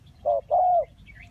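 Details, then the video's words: Dove in a bird-trapping setting giving a single clear low coo phrase: a short hollow note followed by a longer, slightly falling one, with a faint high chirp after. "The Sound Of the dove"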